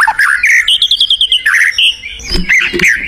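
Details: Energetic song of a white-rumped shama in the wild: a fast run of bright, even chipping notes, followed by whistled slurs and a few rough, lower notes at the end.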